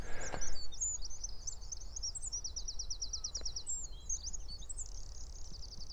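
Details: Many wrens singing together on Bardsey in spring during a census walk, amid plenty of other birdsong. Loud, high-pitched rapid song of fast rattling trills and twittering notes running almost continuously for six seconds, with a brief low rustle at the start.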